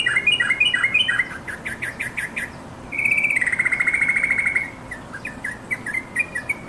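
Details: Yellow-vented bulbul calling to companions, used to prompt caged birds to sing; bright bubbly notes in quick rising-falling runs, then a long sustained chattering trill, followed by scattered short chirps.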